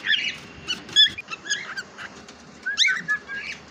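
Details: Pet cockatiel chattering in a rapid series of bright, warbling chirps and squeaky whistled notes, some sliding up and down, repeated irregularly throughout.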